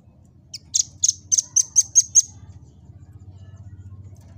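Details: Velvet-fronted nuthatch singing actively, a recording used to train other birds and draw out their song: a quick run of seven sharp, very high ticking notes about a quarter-second apart, then a low steady hum.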